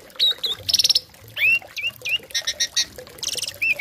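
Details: Tame Asian pied starling giving a loud song stuffed with copied notes, played to train other birds. Harsh buzzy squawks alternate with quick upslurred whistles over a noisy background.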